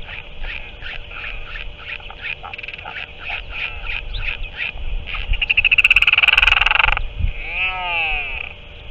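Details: Northern royal albatross adult back at the nest feeding octopus to its chick, 7 March 2024: scattered squeaky clicks build into a loud, fast, rasping chatter for about two seconds, then a wavering, moaning note, over steady hum.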